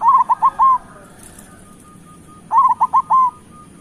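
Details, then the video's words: Local zebra dove song, used as a lure to make lazy caged doves sing and as a tutor for moulting birds: two bursts of rich, hooting coos, each a short run of rolling notes ending in a longer one, with a faint steady tone behind. "Perkutut lokal gacor Suara Besar"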